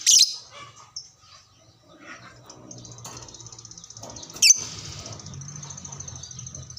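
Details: Fighter lovebird replying to another lovebird; a harsh shriek opens, then a long thin high rattling trill sustained for several seconds, broken by one more sharp shriek, with a low hum underneath.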